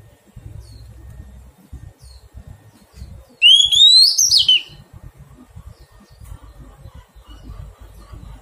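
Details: Wild-caught adult Oriental magpie-robin being tamed in captivity: a single bright whistled phrase sweeping upward and ending in a short twisting flourish, about a second long, set against quiet background with soft low thumps and rumble.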